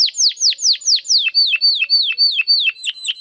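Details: Domestic canary singing in the clear crystal style used to tutor contest birds: a series of loud, high, descending whistled slurs about four per second, shifting into quicker curved notes with a thin overtone, no background noise.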